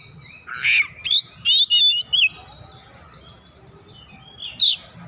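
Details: Kacer song as a pancingan lure: a cluster of five or six quick whistled and buzzy notes, then quiet, then one last sharp whistle; soft low rumble throughout.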